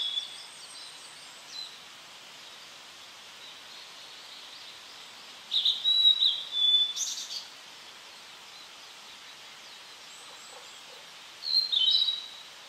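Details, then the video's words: Tledekan song for training cage birds: short bursts of high, thin whistled twittering separated by several seconds of quiet hiss, with three separate phrases heard. "Masteran Burung Tledekan"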